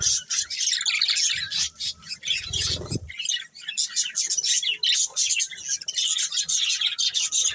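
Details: Steady, buzzy, high-pitched chatter from colourful budgerigars, many rapid chirps overlapping throughout, with a short low rumbling flutter near the three-second mark.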